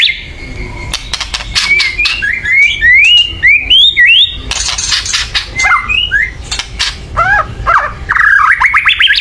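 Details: Loud agitated white-rumped shama chatter, used to make other birds sing: a rising ladder of short whistled slurs, harsh clicking bursts, then more quick upswept notes.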